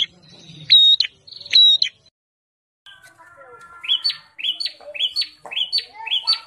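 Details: Bar-winged prinia described as an aggressive fighting bird, with a few sharp whistled notes early on, then a run of short, bright, repeated chip-like notes about every half second after a brief pause.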